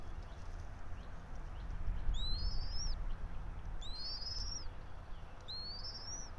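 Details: Bald eagle from a local pair nesting atop a pine about 90 feet up in Johnson City, Tennessee, 04.03.2024 at 06:28; three piercing, high, rising squealed whistles spaced under two seconds apart, over rumbling low noise.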